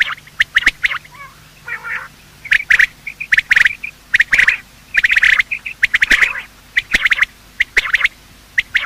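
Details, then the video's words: Male and female quail calling at dawn, a hunting lure recording: bursts of sharp, bright notes in clusters, with a few softer warbled phrases in between. "Quail calling sound: master the Art of Quail tripping | Bater Awaz Subha"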